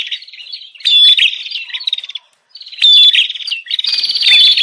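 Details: Noisy 'ribut' lure calls of the bar-winged prinia, used to attract wild birds: two loud stretches of rapid buzzy trilling and chipping, with a brief silent pause between them and a quieter lead-in.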